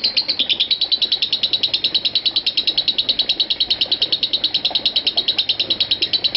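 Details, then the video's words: Fast, regular high-pitched pulses form the lovebird's ngekek, delivered continuously in a run of 5 minutes 25 seconds without stopping. "Aksi Ngekek Love Bird Marco 5 Menit 25 Detik Tanpa Putus"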